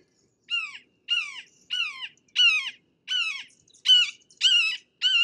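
A Red-shouldered Hawk gives loud, harsh kee-aah calls that drop in pitch, eight in a row at roughly one every two-thirds of a second.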